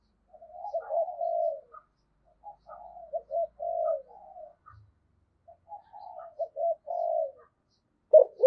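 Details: Decoy spotted dove giving Thổ-voice calling coos that end in two tail notes: three moderate phrases of low hollow hoots separated by short pauses, each phrase starting soft and swelling.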